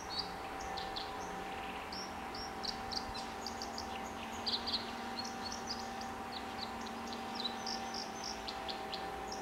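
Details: A White-throated Dipper (Cinclus cinclus) sings in the Derwent Valley at Lochaugh, Durham, on 26 December 2018: a scattered run of high, sharp, scratchy notes and short trills over a steady background hum.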